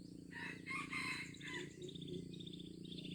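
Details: Crowing junglefowl in Aceh, 25 April 2020: a few harsh, harmonic-rich notes over about a second and a half, partly masked by steady insect trills and the chirps of other birds.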